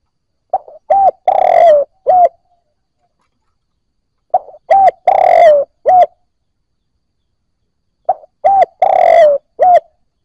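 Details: Spotted dove coos meant to spark calling in newly caught birds: three matching phrases about four seconds apart, each a short note, coo, long burry descending coo and final coo, with silence between.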